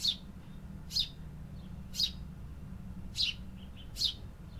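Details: City birds singing: five bright, high chirps about once a second, each brief and slightly falling, set against a low steady rumble.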